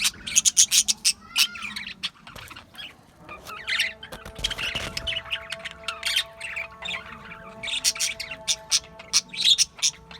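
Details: Australian budgies chirping in a busy flock: rapid, scratchy high chatter and squeaky warbles in quick bursts, with a couple of clearer whistled notes, over faint steady tones in the background.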